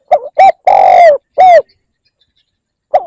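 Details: Spotted dove cooing, used to lure wild doves: low hollow coos in a phrase of two short notes, one long drawn-out note and another short note, then silence before the phrase begins again.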